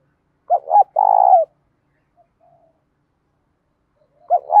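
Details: Spotted dove song of the 'đồng pha thổ' voice type, 'thúc dút' cooing meant to stir up other doves; one phrase of two quick hoots and a drawn-out purring note, a quiet gap, then the next phrase begins.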